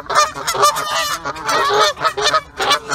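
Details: Territorial paired Canada geese in breeding season, attacking geese that come near, honk loudly and repeatedly in harsh nasal blasts, quick overlapping bursts about every half second.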